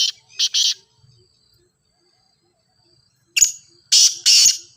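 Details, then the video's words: Grey francolin, known locally as teetar, giving loud rasping notes meant for training a kept bird to call. Two short harsh bursts open the clip, a pause follows, then a denser series of grating notes. "Teetar Voice for Calling"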